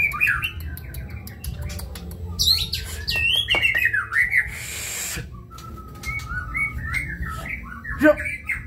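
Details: White-rumped shama singing in kebyok style: varied whistled phrases, slurred notes rising and falling, quick sharp chips and a burst of broadband noise midway, with low background rumble throughout.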